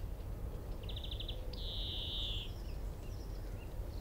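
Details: European greenfinch male in song from a tree at Minsmere, about 25 m distant: a fast run of six or seven identical clipped notes, followed by a sustained buzzy wheeze lasting about a second, with quiet distant chirps and constant low background noise.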